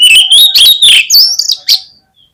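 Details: Oriental magpie-robin lure song, used to get other birds singing: a loud, fast stream of bright whistled notes, pulsing and gradually rising in pitch, ending in a sharp high note and a faint trailing whistle.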